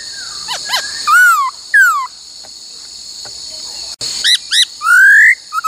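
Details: Laughingthrush trained to sing many voices and the 'cô trói cột' phrase. Sharp downward-sweeping whistles, a pause, then quick paired chirps and a long rising whistle, over a steady high-pitched hum.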